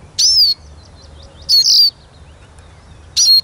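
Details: Eurasian siskin calling three times with drawn-out, piercing whistles that fall in pitch, the middle note longest and loudest.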